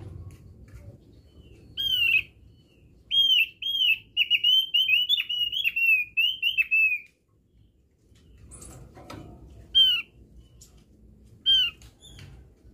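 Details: Javan grey-throated white-eye lure song: a few isolated high whistles, then a sustained series of thin, looping whistled notes for about four seconds, followed by scattered single whistles and some low background noise.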